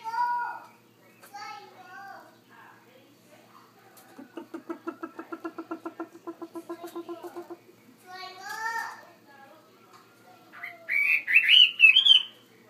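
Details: Caged Chinese hwamei in a bigger cage, singing a varied run of slurred harmonic notes, then a fast even trill of about four seconds, followed by a burst of louder rising and falling whistles, all in a quiet indoor room.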